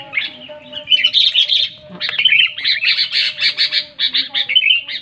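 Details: Loud, clear sooty-headed bulbul song played to prompt quiet bulbuls to sing: a nonstop stream of bright, chattering, bubbly notes, harsh in places, with a faint steady low tone beneath.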